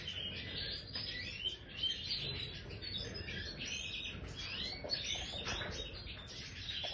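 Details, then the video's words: Caged Major goldfinch in an aviary delivering a fast, tinkling song of rapid high trills, buzzy twitters and slurred notes that run almost continuously, over a low background rumble. "Stieglitz Major Voliere طائر الحسون الرائد"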